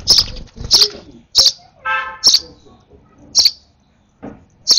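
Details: Excited baby sparrow being hand-fed gives a run of shrill, high chirps, seven in five seconds, broken by a brief lower buzzy sound.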